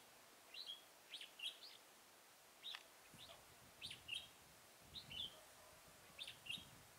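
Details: Trapping of red-whiskered bulbuls at Chùa Hương, Mỹ Đức, 11 November 2017. Clear chirped and whistled phrases come in groups of two or three notes, repeated every second or so. A low rumble joins halfway through.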